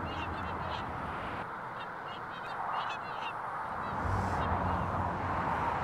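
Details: A flock of migratory Whooper swans, winter visitors from Iceland, on the River Clyde flood plain near Hamilton, South Lanarkshire, beside the M74: loud, bugling whooping honks in quick overlapping bursts over a steady roar of motorway traffic.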